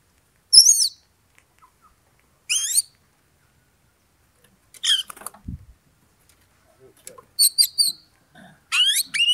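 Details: Oriental magpie-robin song meant to rouse a rival to fight: scattered phrases of sweeping, slurred whistles and rasping chatter, separated by pauses of one to two seconds.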